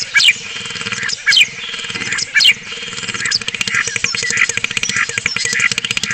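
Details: A spotless starling at Cabañeros National Park, Spain, on a webcam, sings three loud, sweeping pure whistles about a second apart, which typically open the male's song episode, then fast, dense clicking and chattering notes over a faint steady hum.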